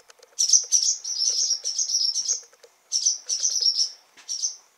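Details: On June 28, in a stable where fledgling Barn swallows make their first flights, frantic parents give high, buzzy twittering notes in quick chattering runs, two longer bursts split by a short pause, over faint low ticking.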